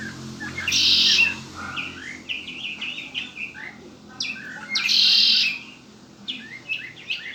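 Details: Red-winged blackbird kept as a pet gives two long, loud, buzzy trills about four seconds apart, separated by varied short chirps and whistled notes.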